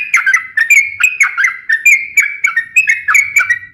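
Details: Sooty-headed bulbul in lively song, played to lure and train other birds: rich whistled notes in short, bouncing phrases, each dropping and rising again, repeated every half second with a faint low hum.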